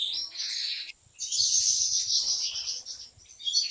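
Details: European goldfinches in a big breeders' aviary pour out a continuous, high, fizzy twittering chorus, broken by one brief pause before the chatter resumes.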